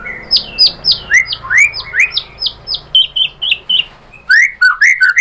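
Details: Murai batu, the white-rumped shama, sings a lure phrase to rile up a rival: loud, varied whistles sliding up and down, rapid clicks, then a brief pause and more ringing upward-swept notes.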